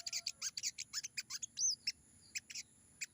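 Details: Sogon from the wild giving spaced, high chirping notes in short bursts, with one bright looping whistle in the middle and brief pauses between phrases.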